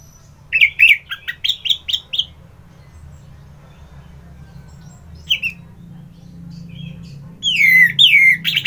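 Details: Orange-headed thrush in full song, a burst of rapid, bright, slurred whistled notes, then a pause, one lone note, and a falling, tumbling whistled phrase at the end, over a low steady hum.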